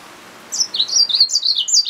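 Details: Yellow-fronted canary mule, a hybrid finch, delivers a brief run of high warbled notes that rise and fall in quick succession.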